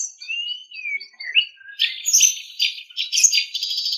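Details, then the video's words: White-rumped shama (murai batu) song from a tutor recording for training captive songbirds: clear high whistles sliding up and down, then dense buzzy, chattering phrases in the upper range. "Ocehan Suara Burung Murai Batu"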